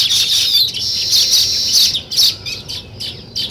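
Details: Several seconds of nest-building weaver birds: steady, loud high-pitched chattering with squeaky overlapping notes, breaking up into separate sharp chirps in the second half.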